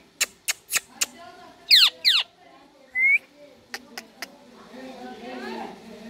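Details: Rose-ringed parakeet giving two loud, harsh screeches in quick succession, each sweeping steeply downward, then a short rising whistle; sharp clicking taps and a person speaking Hindi around it.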